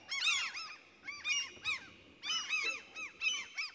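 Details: Common cranes calling in a forest in central Sweden: bugling, arched notes with strong overtones delivered in rapid clusters about once a second, bursts separated by short pauses.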